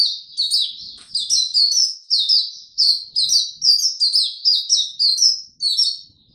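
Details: Oriental white-eye opening its tiong aw style song after sleeping late the night before, recorded 25 January 2022: a continuous stream of very high, thin, sweet warbled phrases, repeated almost twice a second, in a quiet setting.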